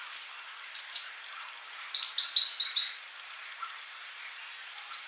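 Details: Brief sunbird phrases: two sharp high chirps, then a quick run of about six rising twittered notes, then quiet before a final high call.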